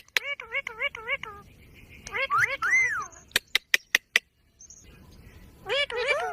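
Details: Green ringneck parrot repeating a quick series of wavering, bouncy notes, then a looping warbled phrase. Sharp tapping clicks follow before more warbling notes close the sequence.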